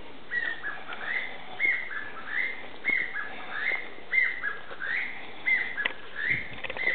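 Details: Chinese bamboo partridge calling suddenly at fairly close range in woodland at Aoba-no-mori Park's ecological garden, giving loud, ringing whistled phrases that rise then fall, repeated every one to two seconds over faint hiss.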